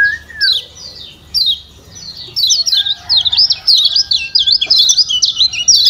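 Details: Kecial kuning of Lombok, a white-eye, in 'ciak ciak' calls used as a stimulant for quiet birds: a few spaced high chirps, then a rapid, chattering stream of thin, slurred notes, a low whistle at the start.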